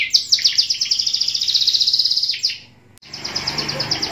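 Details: A canary in Pemalang, Central Java, sings a fast, high trill of rapid repeated notes for about two and a half seconds, then breaks off and resumes after a brief pause.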